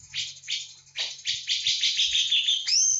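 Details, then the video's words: Javan bulbul, locally called cucak jenggot, in a full-volume 'tembakan' song: rapid bright chirped notes in a dense continuous run, ending with a rising whistled slur. "Cucak jengot jawa full tembakan"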